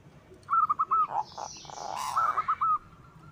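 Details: White zebra dove singing to stir other zebra doves into song: two bursts of short, clipped cooing notes, four or five to a burst, with a brief rough noise between them.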